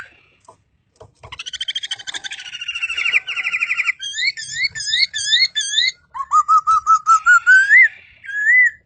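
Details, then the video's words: White-crested laughingthrush song, described as very melodious: a rapid stuttering rattle of notes, then a run of repeated looping whistled phrases, and finally a series of clear rising whistles with a last upslurred note. "Suara Burung Poksay Sangat Merdu"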